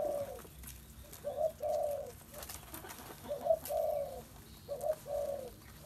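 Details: Spotted dove cooing: low, hollow phrases of a short note followed by a longer drawn coo, repeated about every one and a half seconds, over a faint background with scattered clicks.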